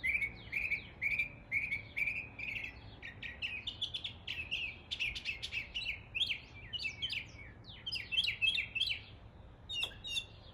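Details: Mimicking local bird calls, a northern mockingbird in East Tennessee delivers a long rapid medley: repeated rising chirps, then dense bursts of sharp, squeaky and buzzy notes tumbling one after another, with faint low background rumble.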